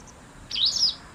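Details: White wagtail in autumn at a garden where fierce territorial disputes occur: a loud, close, high-pitched twittering call of several rapid wavering notes, clean background.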